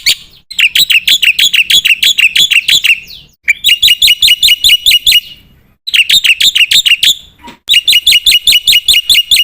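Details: Black-winged myna in lively full song: fast trains of bright, rasping chirped notes, roughly three each second, delivered in four long bursts broken by brief abrupt pauses, with nothing else audible.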